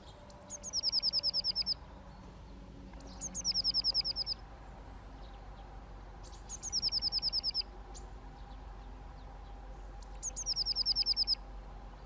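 Eurasian nuthatch giving four high, rapid trills about three seconds apart, each opening with a sharp note and running into a quick, slightly falling series. Faint low hum behind.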